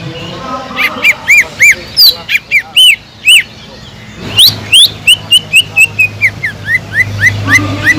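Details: Greater green leafbird, or cucak ijo, singing energetically as a lure to fire up other leafbirds lacking drive. Spaced, ringing arched chirps give way after a pause to faster, tumbling notes with rising slurs.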